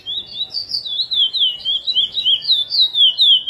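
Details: A chestnut-bellied seed finch (curió) delivers praia-style Mineirinho song prepared for tutoring young birds, a continuous chain of bright, sliding whistled phrases repeated about four times a second over a quiet background.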